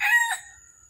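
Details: Red junglefowl during a trapping session in Vietnam on the morning of 13 December 2021: a single short harsh crowing note that drops quickly and fades within a second. The background is otherwise quiet.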